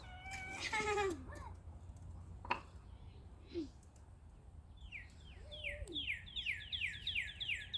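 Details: Northern cardinal singing, recorded 25 March 2020: after a loud lower burst and a few scattered chips, a fast run of clear downslurred whistles starts midway and speeds up into a dense, accelerating trill to the end.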